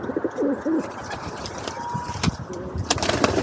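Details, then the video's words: Feral pigeons feeding and fighting at a balcony bird table, filmed on an Insta360 Go 2 camera: low, bending cooing notes at the start and end, sharp flapping clicks in between, a thin steady whistle near the middle, over constant urban background hum. "Pigeon Feeding Time With Pigeon Sounds and Fighting"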